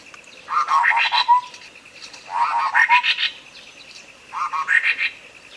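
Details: Sooty-headed bulbul, clear tutor song for luring a quiet bird to sing: three bubbly phrases, each a quick tumbling run of notes ending in a short whistled slur, about two seconds apart, over a steady pulsing buzz.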